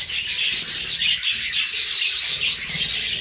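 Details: Budgerigars, kept with cockatiels, in a dense, unbroken warble of rapid high chirps and squeaky twitters that barely pause across the whole stretch.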